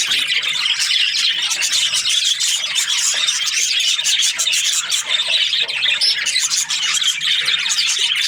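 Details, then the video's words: Happy budgie chatter: a steady wash of rapid, high, raspy chirps and ticking notes, dense and even throughout, with occasional sharper squeaks. "Happy budgie chirping sounds"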